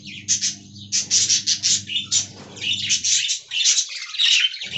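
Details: Colony of caged budgerigars: rapid rhythmic chirps at first, then a rolling scratchy warble, with a low hum during the first three seconds.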